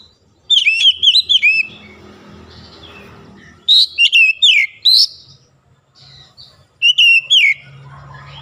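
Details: Oriental magpie-robin singing in morning sunlight, lively phrases of bright swooping whistles and crisp high notes, with softer warbling between bursts and faint low background noise.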